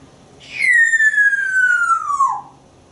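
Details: On a porch with its owner, a talkative pet African Grey Parrot gives one long, smooth whistle that starts high and slides steadily downward, while the owner repeats questions between its answers.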